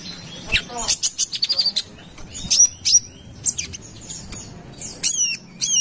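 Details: High-pitched wiceh song of a brown-throated sunbird from Kalimantan, recorded as a lure: bursts of rapid clicking chirps, a few thin whistled pips, and sharp falling notes in short volleys.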